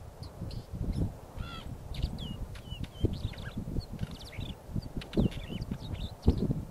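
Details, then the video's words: Territorial northern wheatear giving quick high clicks, sharp chips and short whistled phrases in irregular bursts, one buzzy trill near the middle, against strong low-pitched wind rumble and thumps. "Oenanthe oenanthe defendendo o territorio"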